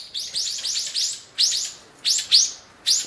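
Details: Four Japanese white-eyes feeding at a feeder and squabbling among themselves while bulbuls are away, on a mid-February 2013 day after snow stopped. Thin, high, arching chirps come in quick bursts of several notes, then short pauses and single notes.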